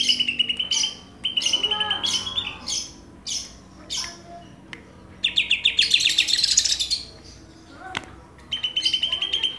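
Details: Rapid trilled song of greater green leafbirds from Banyuwangi and Kalimantan: repeated chattering phrases and separate chirps, a dense warbling burst midway, and a final trill.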